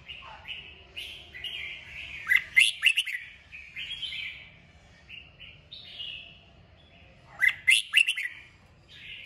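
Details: Red-whiskered bulbul stimulated to sing: repeated warbled phrases broken twice by loud clusters of sharp, rising chirps roughly five seconds apart, with faint low background rumble.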